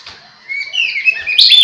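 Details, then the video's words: Lure song from an Oriental magpie-robin to bring other magpie-robins together: quiet start, then rising whistled notes ending in loud, sharp chirps. "suara pikat burung kacer"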